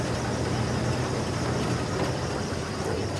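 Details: A steady vehicle engine rumble fills the recording, with faint voices and no animal calls.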